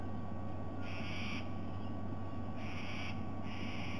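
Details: A white-bellied sea eagle, recorded 06 07 2020, gives three loud, flat, nasal honks, each about half a second long, over a steady low engine-like rumble.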